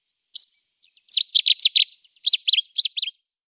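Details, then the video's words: Cetti's warbler singing: a single sharp opening note, then a loud, explosive burst of quick, repeated, high notes that ends abruptly. No other sounds are heard. "Usignolo di Fiume"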